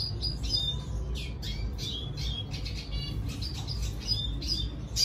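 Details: Song of a red siskin courting a female: a run of thin, fast high chirps and twittering notes, fairly soft, over constant low-pitched room hum.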